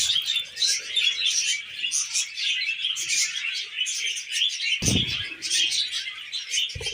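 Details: Tamed pet budgies produce a lively run of high, chittering warbles and short tweets, steady in loudness, with two brief low thuds late on.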